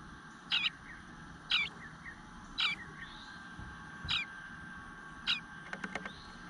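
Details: A single nestling eastern bluebird begging from its nest, morning of 25 June 2022, not fed for some time; five short, scratchy, high calls about a second apart, a few faint clicks after.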